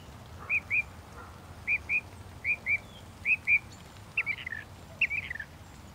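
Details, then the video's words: Northern mockingbird song of clipped notes in pairs, each pair repeated about once a second, then a shift to a slightly fuller, jumbled phrase near the end. "The song of the Northern Mockingbird"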